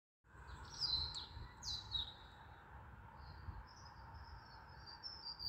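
A stonechat gives a few short, high chirps followed by a thin, drawn-out whistle, over a steady hiss and low outdoor rumble.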